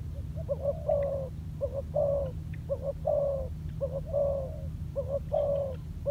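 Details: Ground-training spotted dove used as a decoy repeats a two-part coo, a brief clipped note then a longer mellow falling one, about once a second, with a faint background hum.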